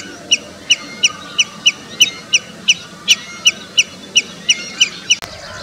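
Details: In India, a common redshank repeats sharp, ringing high notes at a brisk, regular pace of about three per second, ending with a sudden click; faint background birds.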